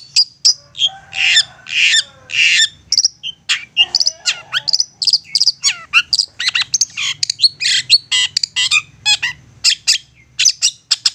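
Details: Insistent long-tailed shrike song used as a provoking lure to make other shrikes answer and sing: dense run of harsh rasping bursts mixed with sharp high chirps and short whistles, delivered in rapid irregular succession.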